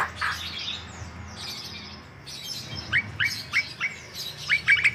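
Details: White-vented myna giving bird-keeper style lure song: a soft rasp at the start, then a short pause and a string of crisp, high, clipped notes repeated several times.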